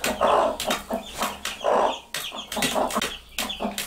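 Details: Mother hens with their baby chicks, two hens reacting on seeing food: low, rounded clucks in short bursts, three main groups over four seconds, with faint high chick peeps and scratchy rustling between.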